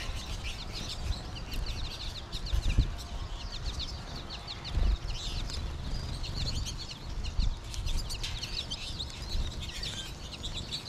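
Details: A large American goldfinch flock in late winter, March, with more birds calling in trees above; continuous overlapping high twittering chirps from many birds, with occasional low thumps and steady background rumble.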